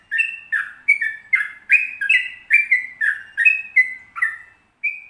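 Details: Active sooty-headed bulbul giving a long rolling 'ropel panjang' song for training other birds. Rapid chain of bubbly, slurred whistles alternating higher and lower notes, about two or three each second, ending after a short pause.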